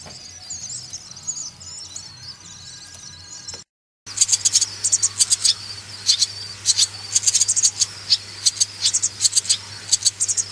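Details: Swallow chicks being reared: a faint high twitter, a brief silence, then loud, rapid bursts of shrill scratchy begging in quick clusters, with a steady low hum beneath.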